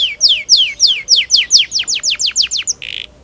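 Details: Canary song used to coax young canaries into singing: a fast series of about a dozen downward-sweeping whistled notes, steady and bright, ending in a short harsh buzzy note.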